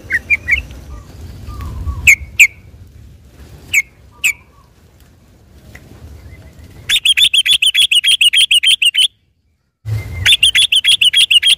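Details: Yellow-vented bulbul in continuous rolling song on a Sunday morning, used as a lure to excite other bulbuls: scattered sharp chirps, then long bursts of fast, evenly repeated high chattering notes, briefly cut off by silence before resuming.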